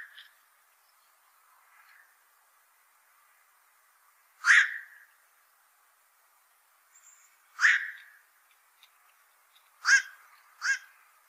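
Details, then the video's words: Black-crowned night heron: faint scattered notes at first, then four loud hoarse quok barks, the first two about three seconds apart and the last two closer together, each abrupt with a brief tail. "BLACK CROWNED NIGHT HERON CALL SOUND"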